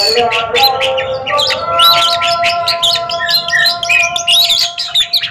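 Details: Oriental magpie-robins in a singing duel give quick varied whistles and harsh chirps over sustained, music-like tones in the background.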